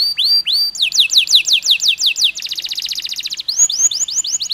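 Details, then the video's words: Singing canary in a long performance meant to stimulate stressed birds: paired rising notes, a quick chain of descending whistles, a dense rattling trill, then upslurred chirps repeated in rhythm. "PANCINGAN KENARI STRES, KENARI GACOR PANJANG DENGAN JEDA"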